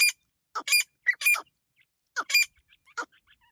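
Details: Irani teetar partridge giving harsh, rasping squawks in short irregular bursts of two or three notes, with softer faint chips trailing at the end.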